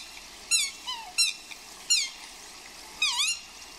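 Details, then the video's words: Outdoor swans squealing during courtship in the rain: five high, squealing calls in under four seconds, some sliding downward and some wavering, over a steady hiss of rain. "Swans Squealing and Roaring Like Crazy | Swan Love in the Rain"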